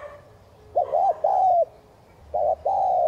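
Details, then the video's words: Two low cooing phrases from a spotted dove in thúc gù style, used to stimulate newly caught birds. Each is a fluttering double note followed by a smooth, longer coo, with a quiet hum in the background. "Chim cu gáy THÚC GÙ kèm bổi kích bổi nhanh nổi hiệu quả"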